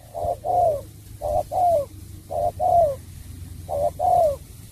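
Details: Spotted dove performing the bau bach de song style: four clean phrases, each a quick short coo and a longer, downward-curving hollow coo, evenly spaced in a quiet setting.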